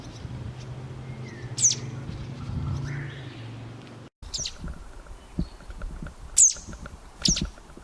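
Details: Welcome swallow alarm calls, given as the birds dive at an intruder once the young have left the nest and are perched being fed by the parents: sharp, very high single notes spaced a second or more apart, over a low background hum.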